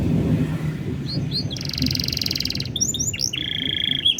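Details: Canary master song in an ornamented blackthroat-flavoured style, aimed at getting other birds singing: low rumbling noise at first, then whistled sweeps, a dry buzzing rattle and a steady trill.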